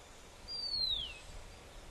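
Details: A Horsfield's bronze cuckoo singing on Postman's Track near Samsonvale Cemetery, southeast Queensland, gives a single high, thin whistle sliding steadily downward over half a second, against a faint, quiet background hiss.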